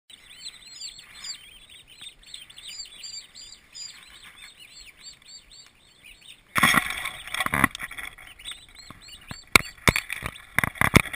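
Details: Twenty newly arrived turkey poults, healthy and active, in a farm nursery: many overlapping high, down-slurred peeps in a continuous chorus, then after about six seconds loud knocking and rustling handling noises break in.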